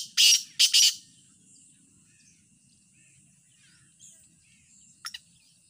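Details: Black francolin calling in a calling competition, Punjab, Pakistan, 9 February 2023: three loud, harsh, grating notes in quick succession, then near silence with a faint distant chirp and a brief double note near the end.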